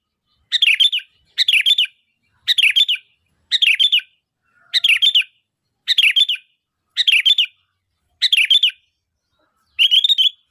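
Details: Sooty-headed bulbul calling, meant to provoke other bulbuls to respond: a short rising-falling chirp phrase repeated about once a second, nine times, evenly spaced against silence.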